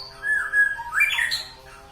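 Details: White-rumped shama from Alue Ie Mirah, East Aceh, Indonesia, giving a short phrase of whistled notes: a level mid-pitched whistle, then a rising, slurred note and a higher sweep, with faint tonal hum in the background.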